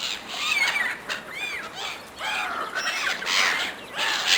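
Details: Gulls vying fiercely for food from a person give drawn-out, bending cries that rise and dip. Several birds overlap in waves, separated by brief quieter gaps, against background noise.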